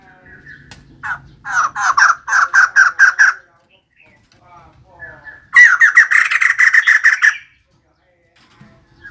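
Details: Female white-crested laughingthrush in vigorous song: a run of loud, evenly spaced harsh notes, a pause, then a second fast burst of squawky chattering notes.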